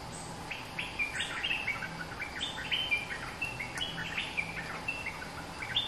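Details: Bulbul, a fierce dominant local bird, delivering a long, steady run of bubbly whistled phrases, each note bending up or down, repeated almost without pause over a light background hiss.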